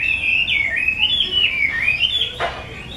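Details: Caged Chinese hwamei of the mơ variety, belonging to a skilled keeper, delivering a rich, fluid whistled song of looping, rising and falling notes, broken by a sharp click near the end.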